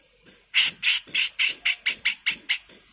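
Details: Grey-cheeked bulbul training master in the rough 'gacor mbeset kasar' style: a rapid, evenly spaced series of about nine harsh, rasping chatter notes, loud and close, fading slightly toward the end.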